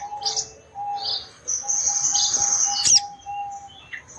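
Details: Female orange-headed thrush calling, said to draw males to respond and come into breeding condition; thin high whistled notes, then a long drawn-out whistle ending in a sharp burst, over a steady low tone.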